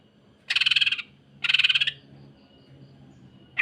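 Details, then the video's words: Greater green leafbird (cucak ijo) in full, rough 'kasaran rapat mesin jahit' song style, offered as a model for training other birds; two dense, buzzy rattling bursts of about half a second each, like a sewing machine, a third just starting. "MASTERAN DAN PANCINGAN Cucak Ijo. Kasaran Rapat Mesin Jahit dan Suara Aneh"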